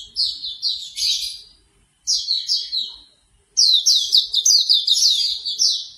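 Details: Hume's white-eye chattering in three bursts of thin, high descending chirps, the last longest and most intense; played in the morning to encourage a bird to start singing quickly.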